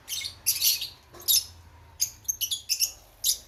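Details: Nestling Fischer's lovebirds near fledging utter bursts of harsh, high-pitched, raspy squeaks and chirps, about a dozen short notes in quick irregular succession.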